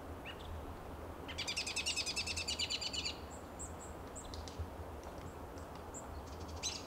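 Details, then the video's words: American robin perched at dusk on a lichen-covered Coast Live Oak in Del Monte Forest, California, March 2024, making contact calls: a quick rattling burst of chattered notes for about two seconds, then thin, high, scattered chips over a steady low rumble. "Calls of American Robin"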